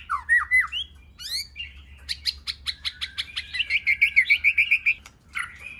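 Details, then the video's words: White-rumped shama in a many-voiced training song meant to fire up other shamas. Sweeping whistles open, then a fast run of sharp clicks gives way to a rapid repeated chatter of bright notes, several per second, ending with a slurred whistle. "Kích Chòe lửa hót nhiều giọng,Căng lửa,chòe lửa đánh đuôi kích cực nhạy.luyện chòe lửa hót"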